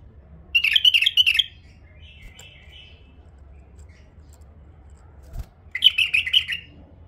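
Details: Tame female bulbul singing: two bursts of quick warbled, twittering notes about a second long, separated by a soft, faint phrase and a pause of several seconds, over a low background hum.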